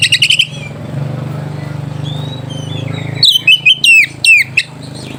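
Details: Oriental magpie-robin song used as a lure to provoke rivals and arouse mating urge: quiet thin whistles give way to a loud run of sharp, sweeping, descending whistled notes, over a steady low hum.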